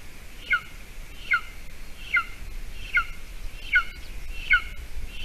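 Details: Latvian golden eagle nest, 28 June 2020, 8:46 a.m., female back with a mouse as breakfast for the eaglet; evenly spaced, thin whistled notes slide downward, about one every 0.8 seconds, against steady low hiss.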